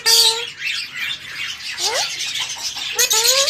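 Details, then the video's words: Pet talking parrot: loud clear rising whistles open, interrupt and close a stretch of harsh, broadband squawky chatter with a speech-like quality; no other sounds stand out. "My talking Parrot"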